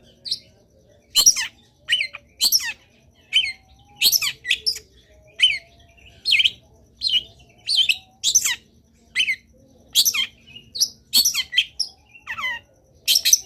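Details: Long-tailed shrike in full, varied training song: a long run of rapid phrases mixing sharp squeaks, descending slurred whistles and raspy chips, each burst following quickly after the last for over thirteen seconds.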